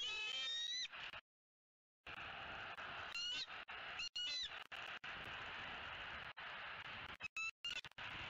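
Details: Female bald eagle of a mated pair on the nest in southwest Florida, November 3, 2018, squealing excitedly as her mate flies in with food: thin, high, descending whistled squees in short bursts over steady, loud broadband hiss from a nest camera.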